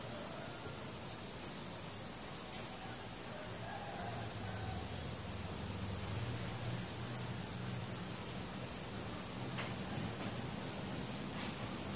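Only a steady hiss and a low rumbling hum fill the recording, with no clear animal calls.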